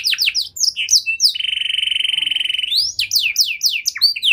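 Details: Canary lure song to encourage other canaries to sing: varied swooping chirps around a sustained buzzy tone held over a second, then more sweeping phrases.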